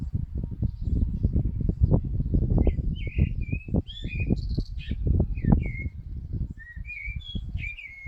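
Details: Common blackbird singing: a run of short, mellow whistled phrases around mid pitch, some sliding up or down, spread across the clip over heavy low rumbling and thumping noise.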